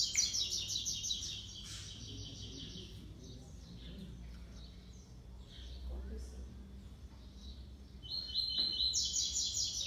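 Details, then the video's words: Six-month-old brown male double-collared seedeater competing in song with a black male, classic three-note style: a bright, rapid, repeated high trill opens, a quieter gap with faint chirps follows, then the ringing trill returns near the end. "COLEIRO PARDO DISPUTANDO CANTO COM COLEIRO PRETO"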